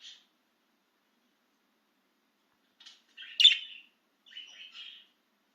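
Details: Excited pet budgerigar out of its cage, giving a few scattered chirps, one louder sharp note in the middle followed by a short scratchy warble, with long silent gaps between.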